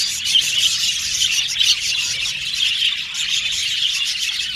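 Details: A constant, busy twittering of several budgies: soft high tweets and trills blend into one even layer, with a few brighter chirps here and there.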